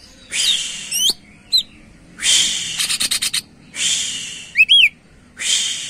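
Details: A greater green leafbird sings in gacor fashion as a lure for other birds. Grating buzzy bursts alternate with a rapid rattle of clicks and a pair of bright rising-and-falling whistled notes.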